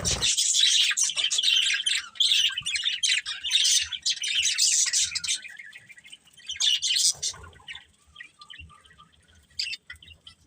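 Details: Chirping pet budgies: a loud run of dense warbling chatter for about five seconds, then sparser chirps and a short burst, fading to quiet single notes.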